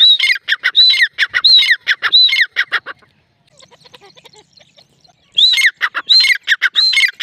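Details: A female grey francolin calls in loud, harsh, squawking bursts, a fast run of shrill notes; the calling stops for about two seconds, then starts again.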